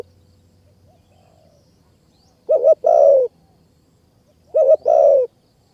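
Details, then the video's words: Spotted dove in high mountain forest of Kanchanaburi, Thailand, singing toward a caged decoy; after a quiet start, two phrases two seconds apart, each a brisk double note followed by a drawn, descending coo, over low background hum. "นกป่ามาเร็วมาก ดินแดนนกต่อ นกเสียงดี | ต่อนกเขาใหญ่ป่าสูงเมืองกาญ"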